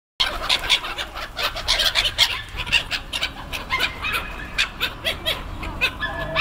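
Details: Black-headed gulls (Chroicocephalus ridibundus) on Kotlin Island, 18 June 2018, give harsh, grating calls, several birds overlapping in a dense chorus of rasping notes with hardly a pause.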